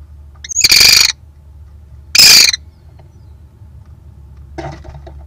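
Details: A male American kestrel announces his arrival at the nest box with two loud, harsh, raspy half-second calls about a second apart, then a fainter scratchy note, over a low hum. This was during the 2022 breeding season on April 21, just after the female laid her third egg.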